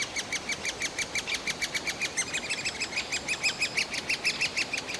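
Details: Begging chorus of large Great spotted woodpecker chicks inside their cavity, Yekaterinburg, Russia, June 2018, recorded on a Canon PowerShot SX60 HS: steady, even stream of short arched chirps, roughly three a second, with faint higher overtones.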